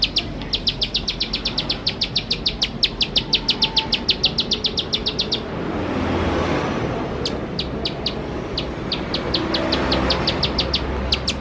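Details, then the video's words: Bar-winged prinia giving spirited 'nembak-nembak' song, played as a lure to prompt birds to sing: long fast train of high chips, then a noisy rushing stretch before the chipping resumes more sparsely. "Ciblek Sawah Gacor Nembak Nembak || Untuk Pancingan Ciblek Sawah Bahan Agar Cepat Bunyi"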